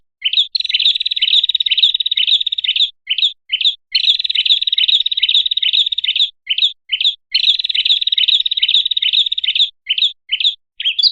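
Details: Red-headed prinia, a small bird, on a lure call: long stretches of rapid, bright, rattling trill alternate with a few short separate chirps, the pattern recurring three times.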